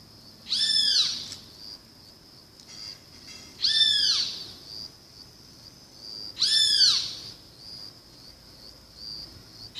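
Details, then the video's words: Great kiskadee calling: loud, drawn-out, arching shrill notes with a bright ringing tone, each sliding up then down, repeated about every three seconds over quiet background. "O SOM DO BEM-TE-VI"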